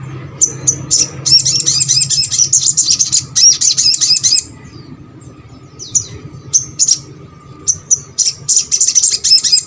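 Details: Sogok ontong master recording to get birds of its kind singing: long bursts of very high, rapid, scratchy chattering separated by a quieter pause with scattered sharp chirps.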